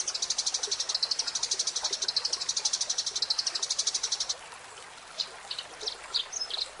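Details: Eurasian tree sparrow song, used as a master recording for training songbirds: a fast, even run of high chirps repeated about eight times a second for four seconds, then scattered sharp higher notes after a pause.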